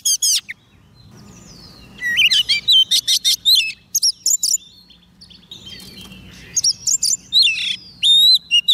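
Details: Soft-food-fed Oriental magpie-robin singing to lure wild birds; brief whistles open, a quiet gap follows, then rich bursts of bright, sweeping whistled notes, another lull, and clear rising whistles at the close over faint low hum.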